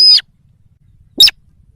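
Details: Lure call of the sintar sawah for attracting wild birds: two short, harsh, raspy notes about one second apart, in near silence.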